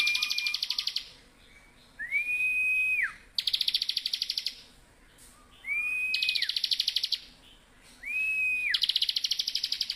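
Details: Continuous ngebren-style song of a lively Bar-winged prinia, a master recording for training cage birds: a clear rising-then-falling whistle, then a rapid high pulsing rattle, repeated four times in a steady cycle.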